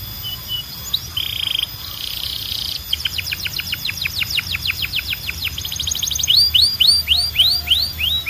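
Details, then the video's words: Belgian canary song used to train and stimulate canaries to sing: a buzzy trill, then fast runs of sharp downslurred notes about four per second, ending in brighter arched whistles. "Canto de Canário 2026 Mais Procurado 🔥 Som de Canário Belga Super Afinado SEM PARAR‼️"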